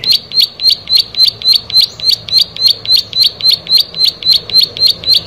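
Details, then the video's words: A plain prinia sings a fast, even series of high, sharp chirps, about three or four each second, with only a faint low hum behind it. "Prenjak Sawah Gacor"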